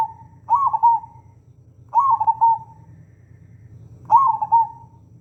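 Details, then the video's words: Local zebra dove song, a master recording meant to stir other doves into singing: three trilled, cooing phrases near one pitch, each about a second long, about two seconds apart, over a low steady hum. "NUTUT NYARING SUARA BURUNG PERKUTUT LOKAL INI"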